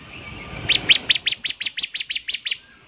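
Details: A bar-winged prinia sings a steady string of about eleven bright, high chip notes evenly spaced over two seconds, slightly slowing toward the end.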